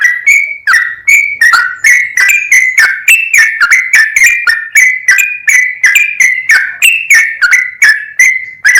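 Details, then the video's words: Sooty-headed bulbul in energetic, continuous full ropel song, played to excite other bulbuls. Liquid, dipping whistles come in quick succession, roughly three per second, varying a little in pitch. Nothing else is heard. "MASTERAN BURUNG TRUCUKAN GACOR FULL ROPEL, BIKIN TRUCUK LAIN LANGSUNG NAIK EMOSI DAN GACOR"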